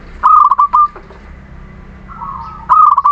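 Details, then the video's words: Local Muria zebra dove lure song for reluctant birds: a loud trilled coo phrase, a softer drawn-out coo, then another loud trilled phrase. "Perkutut lokal Muria gacor pancingan setiap waktu perkutut malas bunyi"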